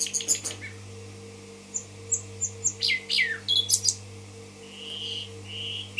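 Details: Common nightingale in Tashkent: a quick opening flurry, a row of short high notes, steep downsweeping calls, then two soft drawn-out whistles, over a constant low hum.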